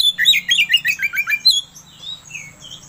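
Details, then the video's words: Oriental magpie-robin song as a singing lure: a rapid string of about ten sharp chirped notes, then softer faint whistles fading out. "Suara Pancingan Kacer Agar Cepat Emosi Gacor ! Pancingan Paling Ampuh Buat Menaikan Emosi Kacer"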